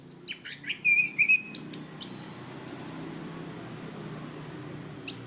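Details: Training recording of a cage-kept chestnut-capped thrush: a short cluster of clear high whistles and crisp chirps, one steady whistled note held briefly, then near silence before a final sharp note.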